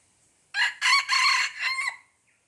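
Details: Wild junglefowl of Aceh heard on 5 January 2020, giving a single crow: a strident, raspy call broken into four segments, with a short first burst and a trailing final note, against near silence.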